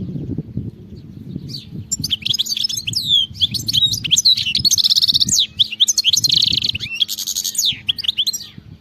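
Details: Wild European goldfinch song of sweeping whistles and bright buzzy trills building after a quiet start, over steady low-pitched background rumble.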